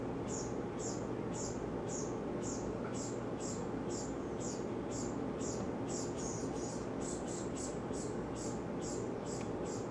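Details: A brown-headed cowbird fledgling sits on a yard bird feeder being fed by a chickadee and gives frantic, thin, high begging notes, repeated steadily about twice a second, over a constant low background rumble.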